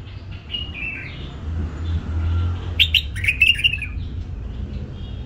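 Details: Hybrid bulbul, bred and raised in captivity, gives a brief warbled phrase early on. Then comes a louder cluster of sharp chirps and liquid whistled slurs, with a steady low hum like passing traffic underneath.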